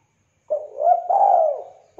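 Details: Lively spotted dove, kept for luring and tutoring birds, giving one clear phrase: a brief opening note, a rising middle coo, then a long steady low coo fading out, with the next phrase just beginning.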